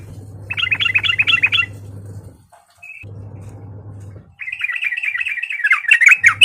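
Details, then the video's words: Sooty-headed bulbul fighting call used to provoke rival birds; a brief burst of quick repeated bubbly notes, silence with a faint single note, then a sustained stream of rapid chattering notes growing louder, with a low background hum. "Suara Trucukan Gacor Tarung Auto Nyaut Emosi Dengar Burung Trucuk Lain"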